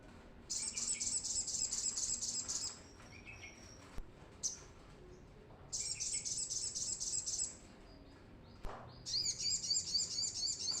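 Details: Brown-throated sunbird in full song, used as a lure to train untrained birds: three loud bursts of high, rapid, buzzy-twittering trills, each lasting about two seconds, separated by short quiet gaps with single chirps.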